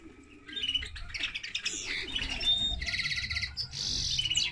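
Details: Linnet-canary hybrid song building from soft twitters into loud chattering warbles and fast rattling trills.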